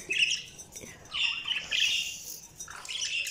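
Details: Budgerigars give scratchy, warbling chirps in overlapping bursts over a soft background hiss.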